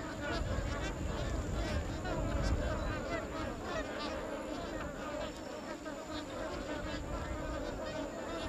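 Magpie geese in a flock: a dense, continuous chorus of overlapping nasal honks at mid pitch, over a low rumble of wind noise.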